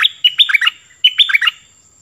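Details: Cream-vented bulbul decoy bird in an excited singing bout: two bright, chattering phrases of bubbly warbled notes, each about half a second long, separated by a short pause.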